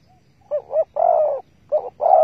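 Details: Spotted dove during bird trapping with bare bait, recorded 15 August 2020. One and a half mellow phrases: a short two-note stutter, then a long, even coo, starting again. Otherwise silent.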